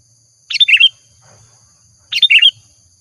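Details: Two short, rich, bubbling phrases from a Sooty-headed bulbul used as a lure, each about half a second long, about one and a half seconds apart, with faint low rustling between.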